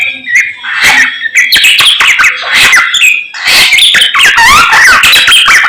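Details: Samyong bird singing in the morning: a busy mix of squeaky chirps, rasping notes and rising and falling whistles, loud and almost continuous.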